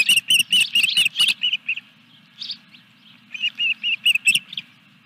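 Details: Nesting osprey, Dunrovin Ranch, 14 July 2021, third fish delivery: rapid piercing whistled chirps in a fast string, a short pause, then another quick run of clear high notes. Low mechanical hum behind.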